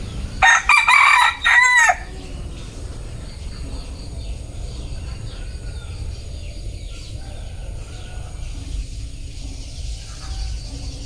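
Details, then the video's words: Bantam rooster crowing: one loud, harsh crow of about one and a half seconds in several rough segments, then quieter background with faint distant bird chirps and steady low rumble. "Tiếng Gà trống tre gáy"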